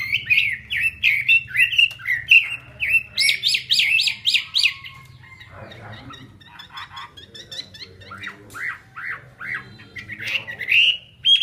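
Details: Chinese hwamei singing while fanning its tail with an eagle-wing display: loud whistled phrases rising and falling, rapid repeated high notes, a quieter pause in mid-stretch, then slurred whistles resuming, with a low background hum.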